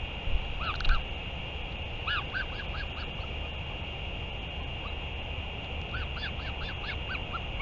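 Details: Northern royal albatross on 31 May 2023, filmed during a return and feeding; a series of brief, rounded, downward-curving calls repeats near the start and again toward the end, set against a persistent hum and low rumbling background.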